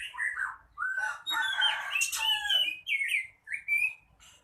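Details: Loud, vigorous Oriental magpie-robin song: a fast sequence of rich slurred whistles, buzzy chattering notes and sharp upward-sweeping whistles in short phrases with brief gaps.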